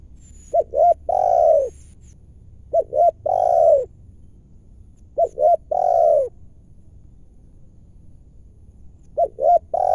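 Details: During lure trapping in Indonesia, a wild spotted dove with a big, full voice calls; four evenly spaced phrases of two short coos and one long sliding coo, with quiet gaps of about a second.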